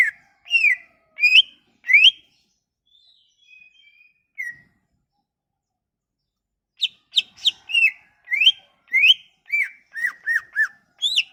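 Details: Sumatran leafbird song played to coax reluctant leafbirds into singing: a few sharp whistled chirps, a pause with soft thin notes, then a fast irregular burst of short chirps and rising and falling whistles in quick succession.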